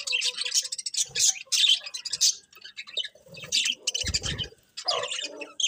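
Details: Birds chirping in the morning: bursts of high, busy twittering alternate with quieter gaps, plus a few lower mid-pitched notes and a short low rumble.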